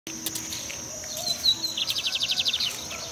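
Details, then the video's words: A Lined seedeater sings at a riverbank, giving high, thin notes that break into a quick run of repeated chips near the end, over a steady high insect drone. "Bigodinho cantando"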